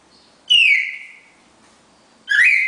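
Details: Red-crested cardinal pair with the classic four-note Bagé song style: a loud, clear whistled note sliding down and trailing off, a pause, then a second strong whistle rising sharply at the start, with a quiet background.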